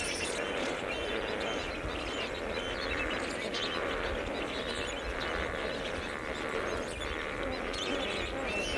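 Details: In the morning, thousands of lesser flamingos in courtship near the airport at Bhavnagar, Gujarat, India, a non-breeding area, keep up a dense, unbroken chorus of nasal, goose-like honks and murmuring chatter; no single call stands out.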